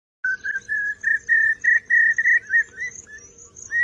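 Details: Common hawk-cuckoo (brain fever bird) gives a rapid series of shrill, whistled notes, about three per second, creeping slightly higher in pitch, over a faint background hum.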